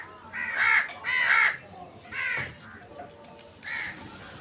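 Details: Crow giving four harsh, hoarse caws, the first two close together and loudest, then two spaced-out ones after short pauses, over a faint low background hum.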